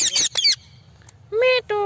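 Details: Parrot giving a pair of harsh, high screeches followed by two shorter, nasal, tonal squawks with a buzzy edge, all within a couple of seconds.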